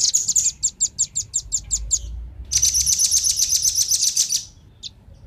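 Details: Male and female velvet-fronted nuthatch calling for luring wild birds. About nine sharp high chips come in quick succession, then a long dense rattling trill and one final chip.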